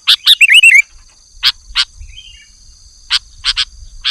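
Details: Lively singing sooty-headed bulbul opening with a quick burst of looping whistled notes, then a pause and scattered sharp clipped chips. A faint steady high tone runs throughout, with soft low rumbling underneath.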